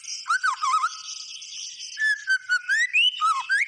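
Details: Energetic song of a white-rumped shama. Looping whistled phrases dip and climb, with a quieter gap early on, then a steady series of bright, clear notes slurring upward toward the end.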